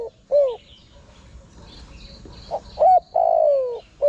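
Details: Spotted dove call for luring wild birds: a short falling note, a pause, then two quick hoots and a long, gently descending coo, with faint twitters of other birds behind.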